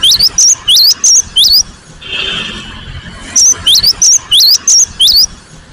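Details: An insistent cinereous tit repeats crisp rising-then-high whistled phrases in a burst, pauses while a soft hiss passes, then resumes with another quick run of the same notes.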